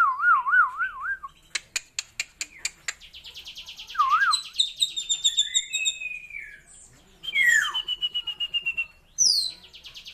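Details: Rich, unusual fill-in song from a kept Asian glossy starling: wavy whistled trill, a run of sharp clicks, a buzzy rattle with a wavering whistle, then long high slurred notes and a final sharp descending squeal.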